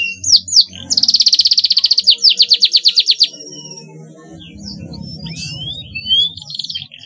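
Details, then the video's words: Canary singing, played as a tutor recording for young birds learning to sing: opening chirps lead into a loud, evenly pulsed high trill lasting about two seconds, then quieter scattered whistles and slurred notes over a low rumbling hum. "paud kenari belajar bunyi cocok sekali di pancing suara ini"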